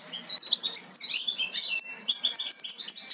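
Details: Goldfinch nestlings nearly ready to jump from the nest, parents a Major carrying aminet and a Parva Ancestral. A loud, tumbling chorus of piercing, high chirps and squeaks overlaps densely with barely a pause.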